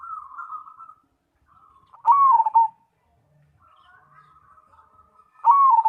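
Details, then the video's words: Zebra dove of the Cemani kind sings soft purring trills broken by two loud, clipped, descending whistled phrases, soft and loud parts alternating in a steady cycle. "Perkutut Cemani Gacor"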